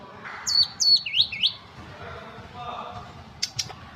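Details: Ashy tailorbird song, a quick run of four high, sharp whistled notes that slide downward, then softer chatter and two brief high ticks near the end, over a steady low background hum.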